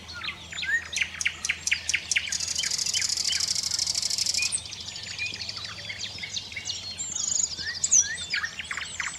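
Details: Common nightingale song, competing with five or six other nightingales: a run of sharp repeated notes, then a long dry buzzing trill, followed by varied whistled phrases, with the other nightingales singing behind.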